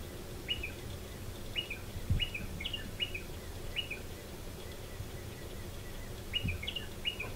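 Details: Striated pardalote pair nesting in a stone wall under a shed; frequent sharp two-note calls, a high chip dropping to a lower note, given about every second, with low background rumble.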